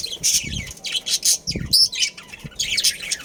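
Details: Breeding pair and family of budgerigars in a colony: loud bursts of harsh, high squawking chatter in clusters, broken by short gaps, with low thuds in the background.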